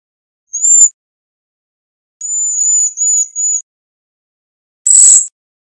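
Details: Cedar waxwing producing a brief high thin whistle, then a longer wavering, slightly buzzy high note broken into three parts, and a final short sharp high note; silence between.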